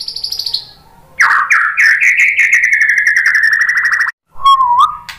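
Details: Murai batu lure song to provoke other shamas: a high thin note, then a long rapid trill sliding slowly downward, ending with a low wavering whistle.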